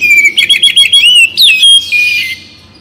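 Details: Oriental magpie-robin (kacer bagong) singing, morning and evening: continuous rapid warbled whistles, stuttering chirps and a sharp upward flick, fading into a softer buzzy trill.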